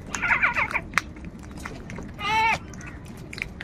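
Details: Crows fighting for food give a single harsh, nasal caw with a rich harmonic stack, preceded by softer chattering notes and a brief click.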